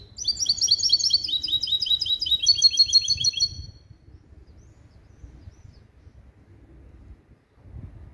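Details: Caged European goldfinch × canary hybrid, male goldfinch father, canary mother, schooled in 'limpio' song: a rapid run of bright chipping notes, evenly spaced and high, lasting about three and a half seconds before quiet.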